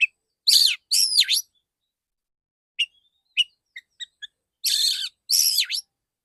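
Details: Male white-rumped shama, kept as a songbird, delivering loud buzzy descending phrases, then a scatter of short sharp whistled notes, then two more harsh rasping bursts.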